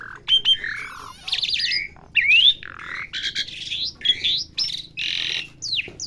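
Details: Asian pied starling being taught sounds: an irregular medley of squawks, raspy buzzes and brief pure whistles, some sweeping upward, with quieter gaps and faint background hum.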